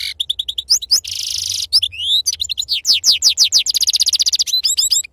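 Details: European goldfinch delivering continuous authentic 'khalawi' wild-style song: varied bright chirps, a buzzy rasping trill, sweeping slurred whistles and a long run of rapid, rhythmic repeated notes.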